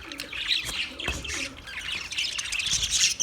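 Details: Budgies chirping: steady rapid scratchy twittering with whistled notes and squawks, fairly continuous, rising in loudness toward the end.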